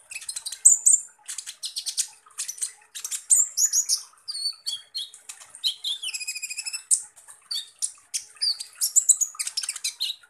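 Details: Van Hasselt's sunbird, or kolibri ninja, delivers a 'tembakan kasar' song: a nearly continuous stream of rapid high scratchy chips, with interwoven downward-slurred whistles and buzzy, stacked trills.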